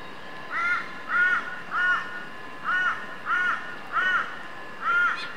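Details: White-breasted Woodswallow at Eurong Beach Resort, Fraser Island, Queensland, on 20 December 2012, giving seven harsh, nasal, slightly arched notes about every two-thirds of a second, over a quiet steady hiss.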